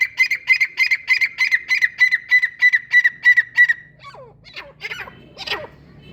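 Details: A francolin, possibly a female, gives a rapid series of harsh, ringing notes, about three per second, then a few looser descending cries; faint background noise.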